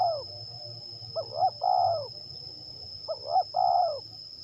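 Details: Loud spotted dove phrases from a trapping session with a decoy in Liwa, West Lampung, Indonesia: a coo tail, then two full phrases of two quick rising hoots plus a long wavering coo, with steady high insect whine behind.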